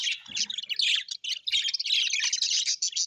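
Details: Happy budgerigars kept as pets give a rapid, unbroken run of scratchy high twitters and warbles, with one brief dip in the middle.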